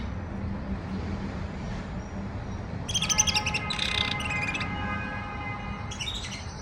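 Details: A pet male canary's first attempts at singing, a soft, quiet warble: two short bursts of bright, high chirping notes, one at mid-clip and one at the end, over a steady low hum.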